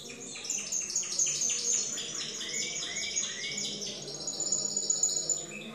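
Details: Timbrado canaries in a singing competition: rapid runs of repeated notes and rising slurred phrases, dense and continuous, with a steady high hiss behind.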